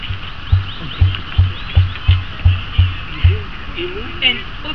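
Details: A male emu at the Toronto Zoo gives a run of about nine deep, guttural grunts, roughly three per second, then falls quiet; faint human voices murmur behind it.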